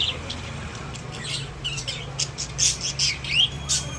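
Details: Pet budgies in a cage give brief, scratchy squawks and a few thin chirps over a steady low electrical hum, growing louder in the second half.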